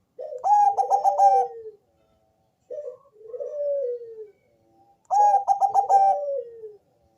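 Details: Deep-voiced Bangkok zebra dove singing as a lure for other doves: two full phrases, each a rapid rattle of coos ending in a long descending coo, separated by a short low note and a drawn, falling coo.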